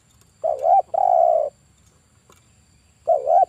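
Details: Spotted dove, a male of the 'kuk 1' style kept as a trapping decoy, calling a wavering coo followed at once by a long steady drawn-out coo, then beginning the phrase again after a short pause.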